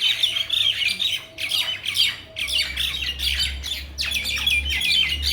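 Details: Loud harsh squawking from mynas in a Bangladeshi village comes in separate grating bursts, with short gaps between them, over a low background hum.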